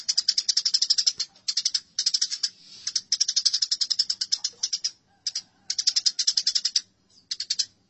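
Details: Fighting house sparrows give dense, rasping chirp sequences in closely spaced bursts, each made of many rapid sharp notes, with a few brief gaps.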